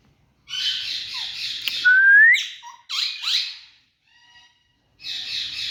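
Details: Green ringneck parakeet, a tame talking bird, giving harsh broad squawks broken by a thin rising whistle and a few looping notes, then a final raspy squawk after a short silence.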